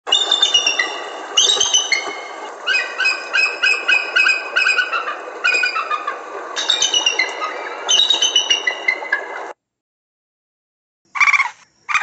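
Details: Bald eagle (Haliaeetus leucocephalus) giving thin, high piping notes in rapid stuttering chatters, bursts repeating over a steady hiss; a short silence, then one more burst.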